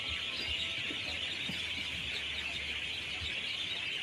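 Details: Many birds singing together in a dense chorus, as they do every day between 6 pm and 7 pm. Countless overlapping high chirps merge into a continuous shimmering wash, steady in loudness throughout, with a faint low rumble beneath.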